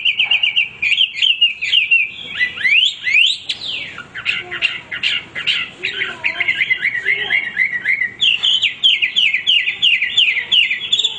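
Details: A male hwamei sings without pause in a varied, rich stream of loud whistled phrases, rising and falling sweeps and repeated motifs, over a soft hiss in the background.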